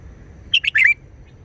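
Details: Short wild-style phrase from a red-whiskered bulbul, one quick burst of three bright, slurred whistled notes, the last one longer and swooping, against a faint low rumble.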